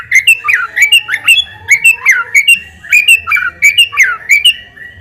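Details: Energetic white-rumped shama song played to provoke response from other birds: short rich whistled phrases with sharp high clicks, repeated roughly twice a second in an even, bouncing rhythm.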